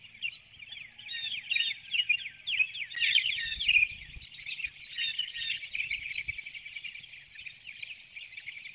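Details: Female bald eagle calling as she leaves the nest and flies out through a woodlot before dawn, Hanover, Pennsylvania, 12 April 2019, nest webcam; a dense, high, chittering run of rapid squeaky notes, sustained and wavering throughout.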